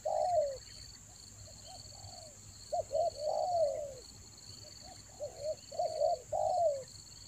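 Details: Spotted dove used as a lure in the rainy season: repeated cooing phrases of short clipped notes and longer falling coos, roughly every two to three seconds, with a constant high-pitched whine in the background.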